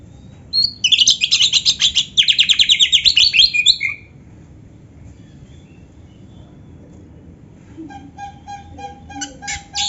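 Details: Oriental magpie-robin in full song, its repertoire filled with canary phrases: a rapid burst of high, trilled chirps repeated in quick pulses for about three seconds, a pause, then softer clicking notes and a high buzzy ending.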